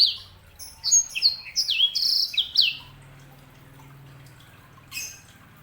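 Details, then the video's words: Sanger (canary hybrid) song: a string of quick downward-sliding high whistles lasting over two seconds, followed by a low steady hum and one last sharp chirp. "KICAUAN SANGER"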